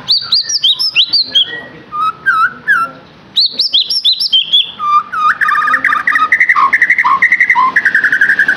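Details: White-rumped shama song for stimulating a captive bird: bursts of high slurred whistles and clicks, short pauses, then a long rapid series of rhythmic chirping notes.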